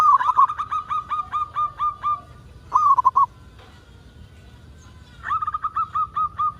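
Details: Actively singing local zebra dove, played as a lure so other zebra doves start calling: a steady string of short cooing notes, a fast rolling trill after a gap, then silence before a new trill and repeated coos.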